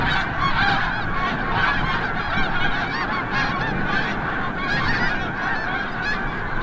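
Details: A large flock of snow geese returning from the bay at sunset at Forsythe National Wildlife Refuge, Oceanville, New Jersey, calls nonstop, a dense overlapping clamor of high, nasal, barking honks with no pauses.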